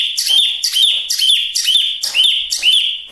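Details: Small-form Chinese hwamei, called wambi mini, repeating one loud rich phrase six times at about two per second, each a bright whistled note with a hooked upturn.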